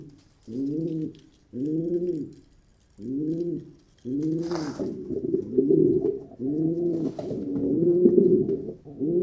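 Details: Pigeon coos as clear, separate low bowed notes repeated about every second and a half, then merging into a longer rolling, gurgling coo; one short hissing burst in the middle.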